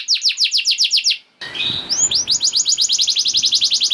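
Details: Canary song used as a prompt for other canaries: quick repeated falling notes, a short pause, a rising sweep, then a rapid rolling trill.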